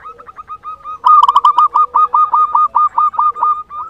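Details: Local zebra dove in full song, used as a lure to stimulate quiet or stressed doves to sing: rapid staccato cooing notes, several per second, a soft start then a loud even run.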